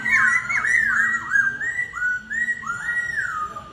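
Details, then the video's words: Laughingthrush in a singing duel: a continuous run of rich, looping whistled phrases that slide up and down, with wavering slurs and brief pauses, over a faint low hum. "Khướu Hót Đấu Đá Giọng – Giao Chiến Căng Thẳng Từng Nốt"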